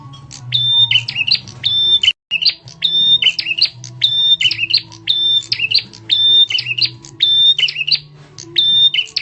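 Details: Bar-winged prinia calling as a lure to attract other birds: sharp, loud phrases combining a high steady whistle and rasping chatter, repeated regularly after a brief silent gap, with low humming noise beneath.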